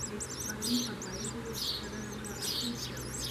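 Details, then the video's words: Common swift with rapid high trilling twitters and three louder shrill screams spaced about a second apart, over a low steady hum. "Mauersegler Geräusche"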